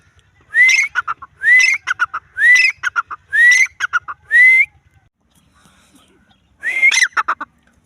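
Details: Repeated calls of a grey francolin: five ringing phrases about one second apart, each an upslurred whistle followed by a burst of scratchy notes, then a pause and one final phrase.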